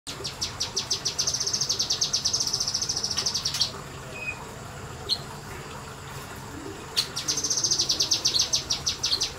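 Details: Kinoi bird in semi-wild conditions giving its rapid 'nembak' song: long runs of sharp, high ticking notes in fast series, a first burst lasting over three seconds, then a pause with a few faint notes before another quick burst.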